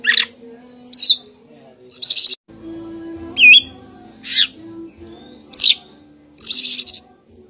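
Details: Kacer, the Oriental magpie-robin, delivering separate short phrases about every second: sharp downslurred whistles, a looping twisted note, and brief buzzy trills, with a constant low electrical hum underneath.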